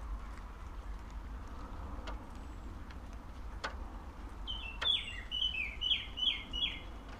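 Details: Near Urdaibai on 3 June 2021 around midday, an albino Osprey utters a quick run of five or six sharp, downslurred whistles after several seconds of quiet wind and distant low rumble with faint clicks.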